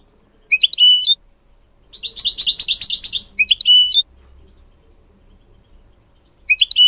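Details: Training song of a goldfinch for mules and canaries: brief high chirp phrases, a dense burst of rapid twittering, then more short chirps and a final phrase after a long gap.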